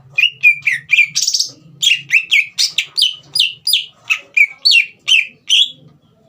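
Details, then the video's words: Green leafbird song for provoking a young bird to sing: series of loud, downslurred whistles and short buzzy notes at a steady quick pace, about two per second, over a soft low hum. "CUCAK IJO GACOR INI SPONTAN MEMANCING EMOSI CUCAK IJO BAHAN TROTOL AGAR GACOR"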